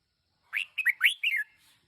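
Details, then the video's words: One-year-old red-whiskered bulbul used as a decoy bird delivers a single quick phrase of four or five rising and falling whistled notes, clear and liquid, ending in a short downslurred note. "Chào mào chim mồi 1 nam"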